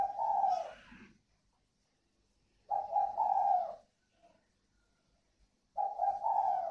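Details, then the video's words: A pair of spotted doves, northern Vietnamese còi vang and thổ xịn types, at a bird farm in Ba Vì, Hanoi. Three husky, rolling coo phrases, spaced about three seconds apart, in near silence. "Thưởng Thức cặp đoi chim cu gáy CÒI VANG _ THỔ XỊN (cu gáy miền bắc)"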